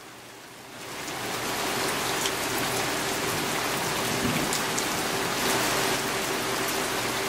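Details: Steady heavy rain drums on surfaces throughout, with no animal voice standing out above the downpour.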